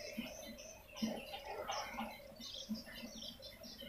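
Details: Swiftlets' lure sound used to draw the birds in: busy, squeaky twittering chirps layered over a steady patter of low ticking pulses, with a faint background hiss.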